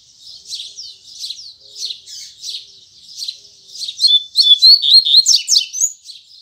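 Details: In the morning a Double-collared seedeater sings firmly in the Tui Tui Zel Zel style. Repeated high chattering phrases grow louder into a fast sequence of clear whistles and harsh buzzy notes.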